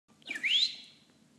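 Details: A European goldfinch, pecking at a person and eating lettuce, gives a single clear whistled note that slides briefly down, then rises sharply to a high peak before fading, over a faint low hum.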